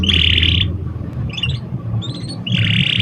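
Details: Canary singing to prompt young canaries into song: a bright buzzy rolled trill, soft scattered chirps in the middle, then another rolled trill at the end, with a constant low background hum.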